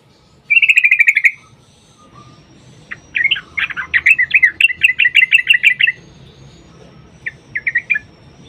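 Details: Sooty-headed bulbul in long, busy song, used as a lure to make other bulbuls sing: a fast rattled burst of bright notes, a pause, then a run of rapid repeated chirps and a few short phrases.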